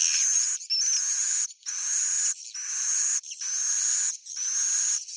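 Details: Swiftlet roosting call, a loud, continuous buzzy chattering with a high whistle running through it, broken into bursts of about a second separated by short gaps.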